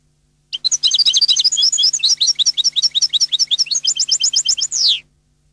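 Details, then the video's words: European goldfinch song: a rapid, tinkling run of high twittering notes lasting about four seconds, ending in a sharp downward slur, with no other sounds. "canto cardellino"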